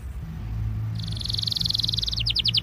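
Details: Belgian canary song used to warm up canaries, faint at first over low hum, then a high buzzy trill breaking into a few separate repeated notes.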